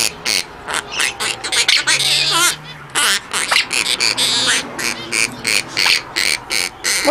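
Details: A male monk parakeet, in the nest with his mate and two babies, talks while protecting the nest: quick harsh speech-like chatter with wavering whistled notes, pausing between phrases; a person speaks nearby.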